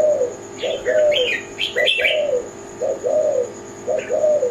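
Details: Zebra dove, or tekukur Kelantan, delivers drawn-out low coos that slide slightly downward, in pairs. These alternate with squeaky, high chirping notes from another bird in the first half.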